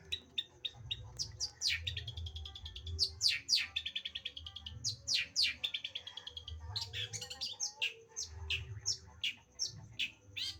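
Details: Long-tailed shrike (cendet) in extended varied song: clipped chips, sweeping whistles and rattling trills strung together in a continuous medley over a low hum.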